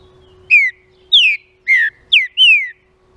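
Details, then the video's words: Green-winged saltator singing a song meant to excite other saltators: five clear, loud whistled notes falling in pitch, the second and fourth starting higher and sweeping down steeply, the last one longer and drawn out. "ESSE CANTO ESQUENTA TRINCA FERRO"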